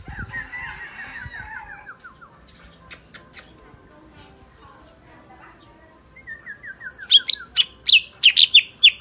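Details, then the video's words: Sooty-headed bulbul, said to sing clearly and powerfully, delivers fast runs of short descending whistled notes at the start and again later, followed by loud sharp clicking bursts near the end. "Burung Cucak Ranting Suara Bening Power Tebal - Tiếng chim thanh tước hay"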